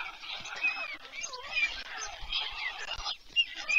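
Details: Evening feeding at a white stork nest near Leliaky village, Pyriatynskyi National Nature Park, Ukraine, July 2024: chicks keep up a dense, raspy, rasping wheeze with squeaky sliding notes layered over it, almost unbroken throughout.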